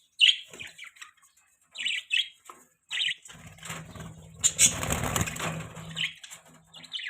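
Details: Pet budgies giving high, bright chirps in short bursts, with a stretch of wing flapping or rustling noise in the middle.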